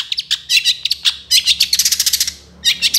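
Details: Long-tailed shrike in energetic full song for training songbirds: fast, dense chattering in rattling bursts with a quick run of evenly repeated notes near the end.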